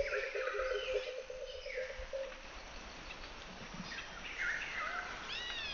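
Ashy drongo giving a rapid nasal, buzzy rattle, then varied clear whistles, slurred notes and quick rising sweeps, over soft outdoor background noise.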